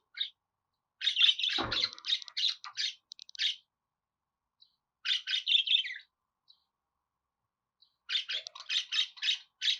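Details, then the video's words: Budgerigar song: a two-second run of rapid, scratchy chirps with one low grating note, a silent gap, a shorter chattering burst, then fast repeated chirps at the close. "Muhabbet Kuşu Ötme Garantili Kuş Sesi,Muhabbet Kuşu Sesi"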